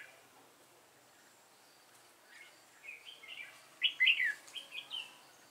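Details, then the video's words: Red-whiskered bulbul singing as a decoy in a fighting trap set to catch wild bulbuls: bright, quick warbled phrases that grow louder and more tumbling toward the end, after near silence, with light background hiss. "Bẫy chim chào mào hót hay"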